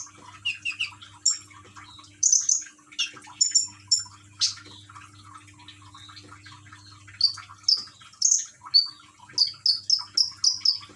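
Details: Caged common iora in Gresik, East Java, singing with a trickling-water therapy track; varied high chirps and whistles, then a closing run of about six repeated high whistled notes, over low hum.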